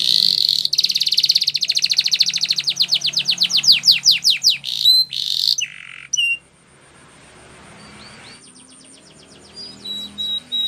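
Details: Canary singing a training song: a fast buzzy trill of repeated notes, then slower descending sweeps, a brief pause, and sparse high whistled notes toward the end.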